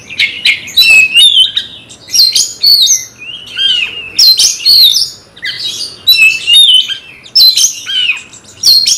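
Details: An Oriental magpie-robin (kacer), angered by a fighting rival, sings continuously in rich, loud bursts of varied whistles and buzzy chatter, with each phrase lasting about a second.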